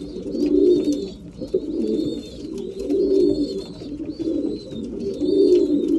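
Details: Breeding pigeons at feeding time, indoors, repeat full, rolling coos about every two and a half seconds, accompanied throughout by steady faint high-pitched whistling notes.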